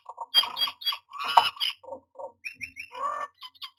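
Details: Myna at its nest box during nesting, 09-06-2022: a quick run of varied notes mixing nasal, buzzy bursts with harsh rasping squawks and short higher whistled chips, delivered in broken clusters over about four seconds.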